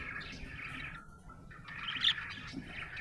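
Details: Happy budgerigar twittering in a soft warble, with a brief lull in the middle before a sharp, bright chirp.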